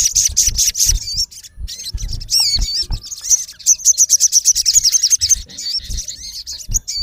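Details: Male olive-backed sunbird calling a rival: dense high-pitched chirps and rapid trills with looping whistled notes, delivered in quick bursts about 167 per minute, with low thumping handling noise underneath.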